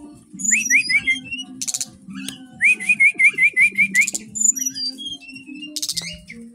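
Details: Brown-chested jungle flycatcher, a caged bird from Bali at a bird kiosk, singing loudly and steadily: a rapid run of hooked, upslurred whistles repeated quickly, mixed with sharp, very high chips and trills.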